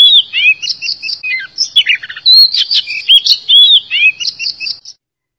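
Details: Oriental magpie-robin song used as a lure and to make birds sing, a long varied run of rich whistles, trills and slurred notes with repeated phrases, then stopping into silence.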